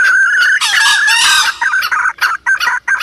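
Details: Wild junglefowl lure call: a couple of clucks, then a loud, rough, broadband crowing outburst, followed by quick separated clucks.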